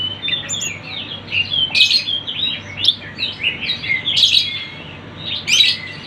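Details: Sunda bush warbler song used as a lure for birds: a busy run of high, sharp chirps and quick twittering phrases, overlapping densely, with stronger bursts every second or so.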